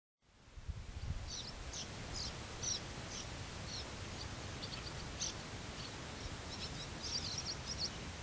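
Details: American avocets in Monroe County, Illinois, on 20 August 2011, giving short, sharp, high notes repeated every half second or so over a steady rumble of wind.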